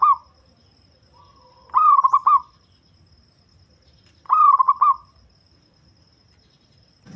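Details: Local zebra dove prized for a bass voice and used as a lure, giving two full rolling coos about two and a half seconds apart, each a short lead-in followed by a quick series of throaty, trilled notes in calm surroundings.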